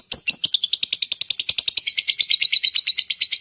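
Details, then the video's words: Shrill lovebird chatter, the "ngetik, ngekek panjang" style used to attract other lovebirds: two louder opening squeaks, then a rapid, steady run of piercing chirps, slightly falling in pitch toward the end. "SUARA LOVE BIRD ( LABET ) NGETIK, NGEKEK PANJANG AMPUH UNTUK MEMANCING LABET YANG LAIN"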